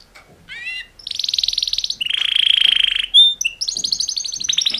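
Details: Canary mating song by two males: a short rising chirp, then a high pulsed trill dropping into a lower buzzing rattle, a clear whistle and another quick high trill.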